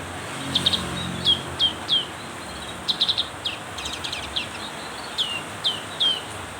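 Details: Black-capped white-eye singing harder during heavy rain: short high chirps and downward-slurred notes in clusters of two to four, spaced by brief pauses, over a steady hiss of rain.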